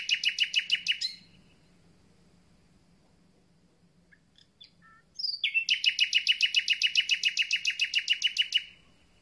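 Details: Common nightingale, just back and starting its concert, delivers long, very regular rattling trills of repeated notes, separated by a pause with a few soft chips and a sliding whistle.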